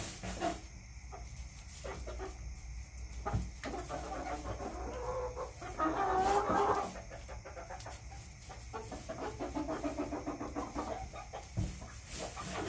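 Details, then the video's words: Hens kept in a backyard cluck irregularly, swelling into a louder, drawn-out squawking phrase midway. Brief sharp knocks and a low steady hum sit in the background. "CHICKENS CLUCKING ASMR"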